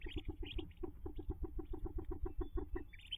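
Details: Hooded merganser at the ducklings' nest jump, May 5, 2024: low, clucking pulses repeated about four to five times a second, with brief high peeping notes at the start and end.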